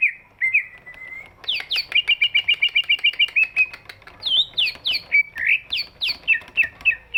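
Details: Greater green leafbird, a big-bodied bird, singing to prompt silent birds to sing: a few flat whistles, then a rapid trill of clipped notes, followed by varied swooping, rising and falling phrases.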